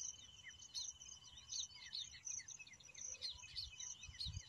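Busy, high chirping and twittering from baya weavers, quick overlapping notes in short bursts, over a steady thin insect-like whine and faint low rumble.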